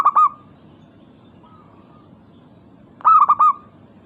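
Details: Clear, loud phrases of a local zebra dove challenging other doves to answer: a brief trill of three or four rounded coos, then a pause, then another fuller burst.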